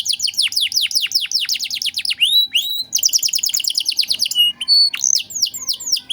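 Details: Vigorous domestic canary song used as a master recording for songbird training: quick runs of descending slurred whistles, a fast rattling trill and sharp high notes, delivered without pause.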